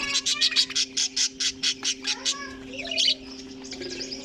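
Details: Budgerigars in a colony kept together with cockatiels, giving a run of harsh, evenly spaced squawks about twice a second, then a brief rising chirp, over a steady low mechanical hum.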